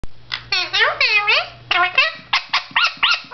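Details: Blue male Indian ringneck parakeet indoors, talking to himself in a mirror: a quick run of raspy, word-like phrases with wavering, rising and falling tones, broken by short pauses, in about ten bursts.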